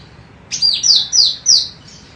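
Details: Female cucak rante singing strongly, kept as training material for other birds: four loud, high whistled notes, each falling in pitch, delivered quickly one after another.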